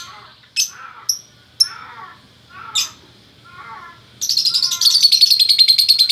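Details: Gacor lovebird pair, male and female, in Bukittinggi, West Sumatra: several piercing high chirps with rasping downslurred notes, then a fast, steady, buzzy trill of shrill pulses to the end.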